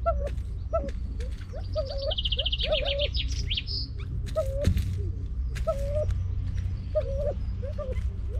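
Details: Edwards's pheasant from a captive backup population used to return birds to Vietnam, giving a run of short mid-pitched hooked notes in clusters, while another bird adds a high rapid trill and a constant low rumble runs beneath.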